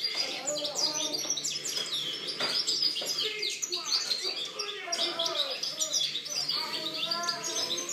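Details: European goldfinch song from 2013: an extended, dense jumble of high twitters, chirps and short trills, rapid and irregular, with no long pauses.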